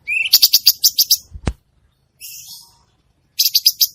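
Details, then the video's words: Cucak cungkok bulbul in active song (gacor): a rising note leads into quick high chips, then a sharp click, a soft buzzy phrase and another burst of chips. "burung cucak cungkok gacor"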